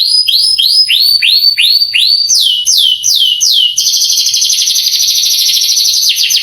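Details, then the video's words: Male canary master song for provoking young birds: a row of bright up-swept notes, then lower falling slurs, breaking into a fast continuous rattling trill. "MASTERAN KENARI bikin KENARI PANAS EMOSI langsung gacor"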